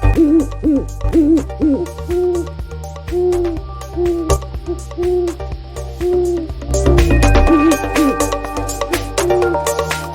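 An owl gives soft, low, wavering hoots about once a second in a steady series, over a backing of continuous music.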